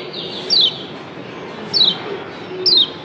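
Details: Yellow white-eye from Lombok, locally kecial kuning, with its 'doble ciak' call: three clean, thin, high notes sliding steeply downward, spaced roughly a second apart over a quiet background.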